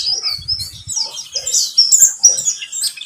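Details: Pleci buxtomi (white-eye) sound used as a lure to get the bird singing: rapid, high, thin chirps and twittering trills, busy and overlapping, with a faint low rumble early on.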